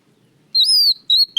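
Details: Oriental magpie-robin song used as a lure recording: a clear, loud whistled note gliding slightly up then down, a shorter whistle after a pause, and a final rising whistle, with no other sounds.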